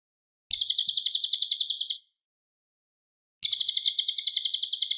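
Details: Cililin in clear, loud song for training White-rumped Shamas: two fast chattering trills of high repeated buzzy notes, each about one and a half seconds, separated by a silent gap.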